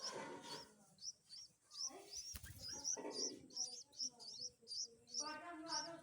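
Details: Bulbul chicks being fed by a parent: repeated thin, high chirps in quick, uneven succession at about two and a half per second, with lower mixed chattering and rustling beneath.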